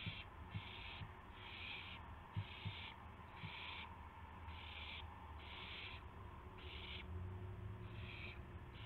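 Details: Owls at about 5:50 AM on 26 March 2016, a gopher and a mouse arriving as food; breathy, noisy hisses of half a second recur about once a second, with faint knocks and low hum.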